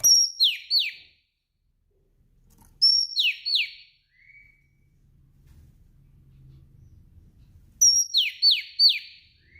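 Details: Female oriental magpie-robin calling in the afternoon, used to stimulate males to sing; loud bursts of high sharp notes followed by descending slurred whistles, repeated about every three to four seconds, with a faint low hum between.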